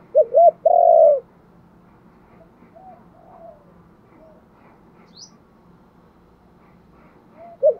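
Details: A spotted dove gives a luring coo: a loud phrase of two quick hoots and a long, steady coo at the start. Weak, distant cooing fills the middle, and a short hoot begins at the end.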